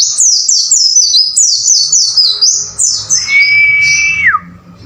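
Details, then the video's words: Training recording of white-eye song for caged birds, 'wucit wucit' style: a steady run of rapid, high, down-slurred chirps lasting three seconds, then a long flat whistle that drops sharply at its end. "MASTERAN BURUNG PLECI AGAR GACOR WUCIT WUCIT"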